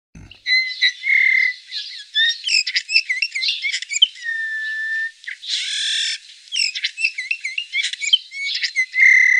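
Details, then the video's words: Eurasian bullfinch giving a lively series of soft whistled notes mixed with creaky, buzzy and warbled phrases, some notes long and level, others short and slurred, with one harsh rasping burst in the middle. "Reclamo de CAMACHUELO COMÚN"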